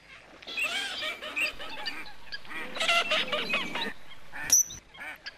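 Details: Coot producing a string of short, hoarse, trumpeting notes, several birds overlapping in a busy flurry midway, with a sharp high squeak near the end.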